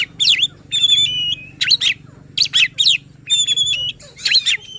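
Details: White-rumped shama song played to make other shamas sing hard; repeated steep rising and falling whistle sweeps alternate with long level whistled notes, in bursts roughly every half second to a second.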